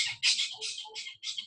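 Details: A spotted owlet (Athene brama) gives its 'churr, churr' call, a harsh, high screeching chatter of about five rasping notes in quick succession, with no other sounds.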